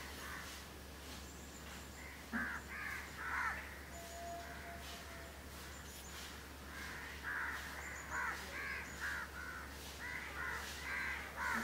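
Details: Grooming pair of house crows at Candolim, Goa, India, December 2010: grating caws in clustered runs, with faint thin whistles from other birds in the background.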